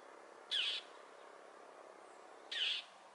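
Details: Daring northern mockingbird scolding a perched Cooper's hawk on Potrero Road, Newbury Park, repeatedly striking at it. Two loud, abrupt rasping squawks exactly two seconds apart over faint background noise.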